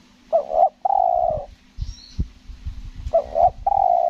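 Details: Tekukur (spotted dove) on Lombok, luring session, in the selang nguku gagap coo style: stammered double note then a long hoarse coo, given twice, with low knocking and rustling noises and a faint high chirp.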